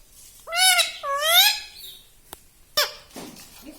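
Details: Pet talking parrot giving two long, harmonic calls in quick succession, followed by sharp clicks and a soft rustle.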